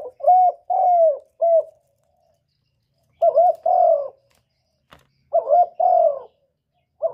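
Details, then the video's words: Spotted dove call in the 'một hậu ròng' style, repeated three times: a double stuttered note, a long mellow falling coo and a short last coo, with brief silences and a faint click between phrases. "cu gáy gọi một hậu ròng mới nhất"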